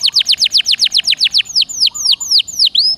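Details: Canary song used to prompt caged canaries to sing: a fast run of bright, sharply down-slurred whistled notes at about four per second. The notes slow and space out toward the end, with a brief low warble between them.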